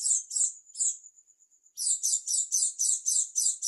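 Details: Dakun Oriental white-eye from East Java with a strange song: three shrill pulsed notes, a faint level whistle, then a fast run of bright high chirps repeating several times a second.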